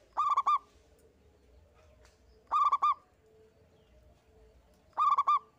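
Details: Single local zebra dove (perkutut lokal) singing strongly, recorded to prompt other birds to sing: three phrases of quick, bubbling coo notes repeated roughly every two and a half seconds over a faint steady hum.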